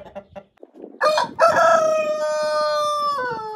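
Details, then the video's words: Rooster among hens eating broken eggs: a few soft clucks, then a loud drawn-out crow with a rising start, a long level middle and a falling end. "Roosters and hens eat broken eggs and crow happily"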